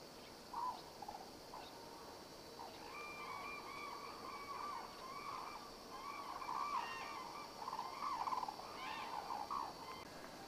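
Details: Captive black-necked crane, Akan International Crane Center, January 8, 2006: a quieter stretch of drawn-out, slightly wavering trumpeting calls that grow denser toward the end, with faint background hum.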